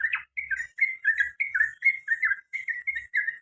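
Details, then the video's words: Male sooty-headed bulbul kept as a pet, repeating its ropel and garuda style song. Clear, slurred whistled notes arrive in short, evenly spaced pairs and triplets, mellow and bouncing. "CUK CUK CUK TRUCUKAN ROPEL PANJANG DAN GARUDA BER ULANG - ULANG"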